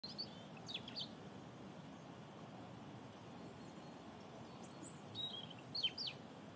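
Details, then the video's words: A European robin sings in the early morning, thin, high, tumbling phrases, one near the start and another about five seconds later, over a steady low background hum. "European Robin Singing in the morning"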